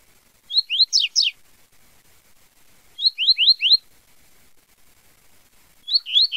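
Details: A double-collared seedeater sings a "tui tui zel zel" song in short bursts of three or four quick, high, slurred notes, each phrase repeated every two to three seconds.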